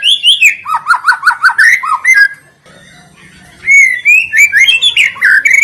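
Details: White-rumped shama song used as a lure to set other birds singing: rich whistled phrases, a fast run of repeated dipping notes, a brief pause, then bright rising and falling whistles with sharp high overtones.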